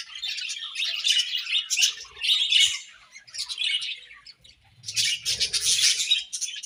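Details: Budgerigars in breeding season chirping: dense bursts of bright, scratchy warbling and chatter in overlapping flocks, with short pauses between bouts and faint soft low thumps.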